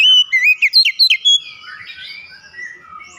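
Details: Oriental magpie-robin song meant to trigger singing: a rapid burst of sharp whistled and slurred notes lasting over a second, followed by softer, blurred echoing tones fading away.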